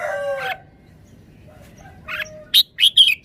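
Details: Red-whiskered bulbul kept in a cage, singing a forest-style phrase. A rich, harmonic warble falls slightly, then after a quiet gap come a short mid note and three sharp, high, clipped notes in quick succession.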